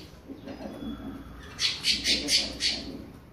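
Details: Creamy-bellied thrush warming up its classic song: after a stretch of low background murmur, a quick run of about five harsh, high, buzzy notes, evenly spaced.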